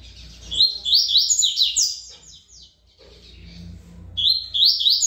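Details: Double-collared seedeater performing Tui Tui style song, praised as a good singer: dense, high, buzzy repeated strokes delivered quickly for two seconds, a brief quiet gap with low hum, then another bright phrase begins.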